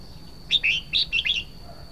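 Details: One full Red-whiskered bulbul phrase: five rapid, rich, slurred whistled notes bouncing up and down in a quick cheerful run, over a steady high whine.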